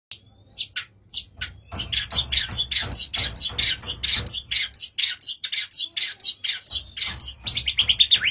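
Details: White-rumped shama giving a long fast series of sharp, high buzzy chattering notes repeated about twice a second, steady and scratchy throughout.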